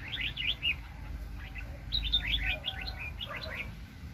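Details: Red-whiskered bulbul used as a very aggressive trapping decoy, 2020: several short bursts of chirpy, liquid whistled notes, some sliding up and down, spread across four seconds over a soft low background rumble.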